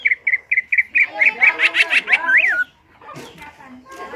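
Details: Greater green leafbird in energetic ngentrok song, a master reference for training birds. Short whistled notes repeat about four times a second, run into a dense fast trill, and end in a rising-falling slur before a quiet pause.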